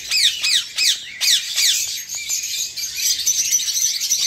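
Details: Eastern rosellas: a pair with two fledged chicks living alongside them, the male starting to chase the older fledgling that already feeds itself. Five sharp, downslurred squawks come about every third of a second, then dense high chattering from many birds.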